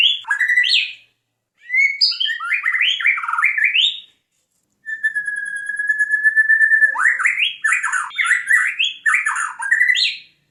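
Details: A white-rumped shama from Jambi pours out rapid varied whistled phrases, pauses, then holds a long steady pure whistle before bursting again into fast tumbling notes; no other sounds.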